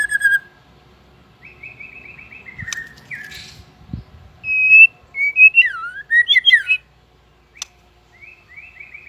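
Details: White-rumped shama, a competition bird just coming into fighting form, singing: clear whistled phrases around the upper-middle range, a rapid trill of repeated notes, then looping slurred whistles and a sharp click, with quiet gaps between phrases.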